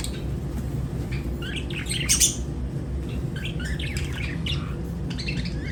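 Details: Lovebirds singing and chirping: sharp, squawky high chirps in short scattered bursts, densest around the middle and again near the end, over a steady low hum.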